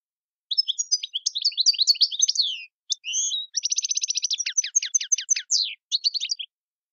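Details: European goldfinch singing a tiwawati-style song with mondolin, servati, saw saw, sepla and djiw phrases: rapid twittering high notes, then a dense buzzy trill and a run of sharp descending chirps, ending with brief twitters; no other sounds.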